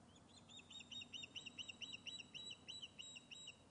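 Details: On its Scottish nest at Loch of Lowes, an Osprey fish-calls on webcam, giving a steady unbroken string of some sixteen quick, piercing whistled cheeps.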